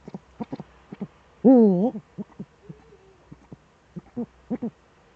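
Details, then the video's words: Evening duet of Eurasian eagle-owls, male at the nest, Eifel, 13 December 2013, 17:25. A strong undulating low hoot stands out amid a steady patter of brief, muffled pulsed notes before and after. "Uhu-Duett, Männchen am Horst"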